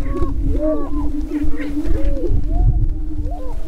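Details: Spring mating dance of greater prairie-chickens at a lek near Crookston, northwest Minnesota, filmed April 27, 2013. A constant low moaning drone carries under repeated rising-and-falling hooting whoops from multiple males, with strong low-frequency rumble underneath.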